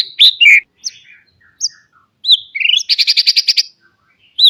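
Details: White-rumped shama kept in a cage sings for training young birds: scattered sweet whistled notes followed by a rapid, rattling burst of harsh high notes, then quiet.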